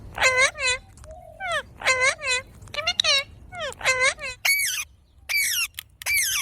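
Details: A pet ring-necked parakeet talks in a nasal, speech-like voice with quick word-like bursts, saying words like "hello" and "wiggle", then breaks into shrill, harsh squawks near the end.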